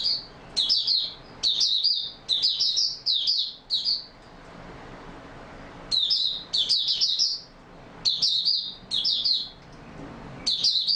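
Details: Caged Oriental white-eye singing steadily, recorded 28 February 2022: long runs of short, high, chattering twitter phrases repeated in quick succession, broken by a two-second pause midway before the bird resumes its rapid trilled bursts.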